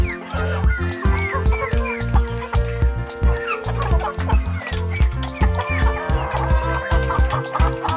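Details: Chicken clucking in short, uneven bursts of mid-pitched, bending notes over steady, loud low-pitched music.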